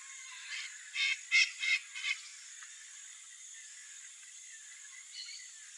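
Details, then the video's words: Blue-winged macaw, a wild parrot of the Brazilian Cerrado, utters a quick burst of four or five grating squawks within a second, then falls silent apart from faint distant calls and background hiss. "BLUE-WINGED MACAW calling"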